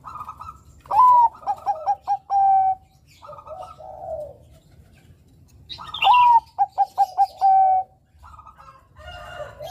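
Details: Bangkok-type Zebra Dove song, used as a lure to provoke young males: a rising whistle, then a quick run of four or five bubbly coos ending in a long held coo, given twice, with faint background birds.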